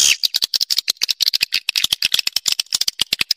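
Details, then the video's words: Swiftlet attraction sound: a fast, steady rattle of sharp high clicks, about ten a second, opening with a short shrill chirp. "Suara Burung Walet"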